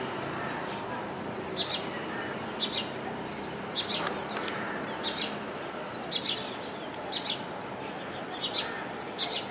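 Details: Common tailorbird recorded at Kalwa, Thane, Maharashtra, India: sharp, high chipping notes repeated roughly once a second, sometimes doubled, over a steady hiss of background noise.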